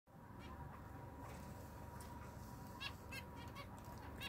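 Zebra finch giving short, nasal, toy-trumpet beeps scattered every half second or so, over a steady low rumble of background noise.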